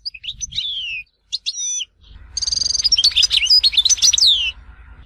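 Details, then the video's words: Goldfinch song from Tizi Ouzou: scattered high chirps and down-slurred whistles, then a rapid, jangling run of twittering notes and trills over a low rumbling background. "Chant chardonneret tizi ouzou تغريد حسون تيزي وزو"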